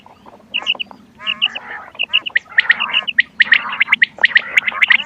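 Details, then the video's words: Calls of quail for hunting. Sparse, short, high notes at first, then growing into a crowded mix of chirps, trills and squawks over a faint low hum. "بٹیر کی آواز شکار کیلئے quail bird sounds for hunting bater ki awaaz"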